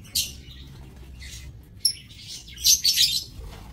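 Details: Lovebirds in an aviary, 7 June 2024: a few isolated harsh squeaks and one clean high whistled note, then a loud burst of grating, buzzy chatter near the end.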